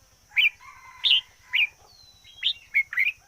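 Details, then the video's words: Decoy red-whiskered bulbul giving bright slurred whistled notes roughly every half second, with a thin drawn-out whistle in the middle, steady ticking and a high hum in the background. "Chim chào mào mồi hót căng lửa nhất 2021"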